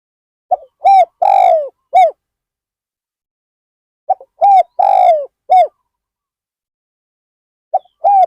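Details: At Ban Nong Hin, a spotted dove kept as a decoy for luring wild birds calls a soft introductory note, then a rolling coo and an abrupt final coo, repeated about every three and a half seconds.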